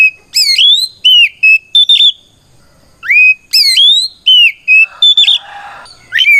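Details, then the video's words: Oriental magpie-robin's 'ngeplong' fighting song that calls rival birds out and prompts them to respond. Repeated phrases of ringing upslurred whistles and short chirps, with one brief raspy passage near the end. "Suara Burung kacer gacor NGEPLONG tarung"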